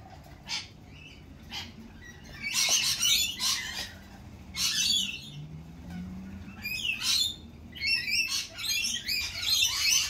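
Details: Lorikeets at a cafe in spring, a flock giving harsh, buzzy screeches in rapid overlapping bursts, some shrill and some rasping, nearly continuous across ten seconds with brief gaps between volleys.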